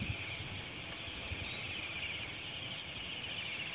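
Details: A flock of Bohemian waxwings (Bombycilla garrulus) feeding on mountain ash berries gives a steady wash of high, thin, buzzy trills, many birds overlapping, over a low background rumble.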